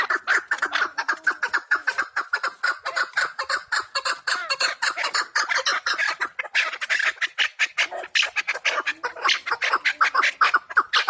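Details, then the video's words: Several wild chukar partridges in the Pamir calling at once, a thick chattering mass of rough, clipped notes that swells louder toward the second half. "Кабки шикори , кабки Помир"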